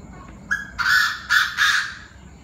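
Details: Chinese francolins in full evening uproar at 7 pm: a short lead note followed by three loud, harsh, broadband notes in quick succession, each about a quarter second long, over faint background hum.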